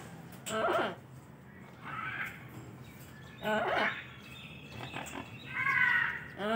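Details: Turquoise-fronted amazon (Amazona aestiva) calling repeatedly: several harsh, nasal, harmonic squawks about one to two seconds apart, some short and descending, one longer and more tonal, with quiet clicks between them.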